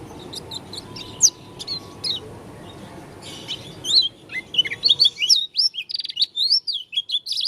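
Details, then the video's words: Oriental white-eye, Lombok 'dakun' type, with an unusual voice: scattered high chirps, then a fast, lively twittering run of rising and falling whistled notes, bright and clear against a quiet background. "Pleci dakun lombok suara aneh"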